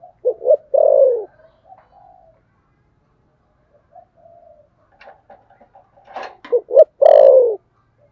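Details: Fighting coo of a spotted dove in the thổ sấm gù style. Two phrases each hold short stuttered notes and a long, deep, downslurred coo, with quiet murmuring and clicks between the phrases.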